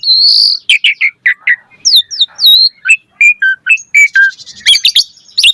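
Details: An Asian pied starling sings a high whistle followed by a rapid run of short chirps, upswept whistles and warbled notes, ending in a harsh rattling burst.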